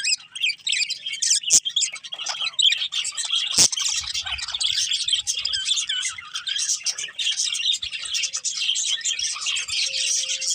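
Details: Breeding pair of budgerigars producing dense, unbroken twittering warble of high chirps and buzzy notes, with a couple of sharp clicks early on.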